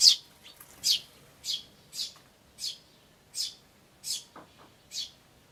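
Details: High, thin chirps from Eurasian tree sparrow chicks and calling adults, taped 10 May 2013 on an iVIS camcorder, come roughly twice a second in a slightly irregular series of eight or nine notes, with one faint lower note near the end.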